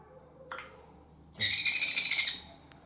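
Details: Hand-fed sun conure baby at feeding time: a faint short squeak, then a loud, grating, buzzy squawk held for about a second with rough harmonics, in a small indoor room.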